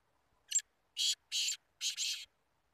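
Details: Two Black Francolins (kala teetar) in a calling contest, or muqabala: one short grating note, then three loud, harsh, rasping bursts. The last burst is doubled. The phrase runs about two seconds over a quiet background.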